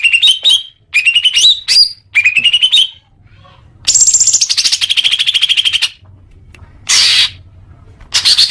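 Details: Greater green leafbird, song used to make caged birds sing more: rising whistled phrases, then a long fast buzzy trill that slides downward, a pause, and short harsh bursts.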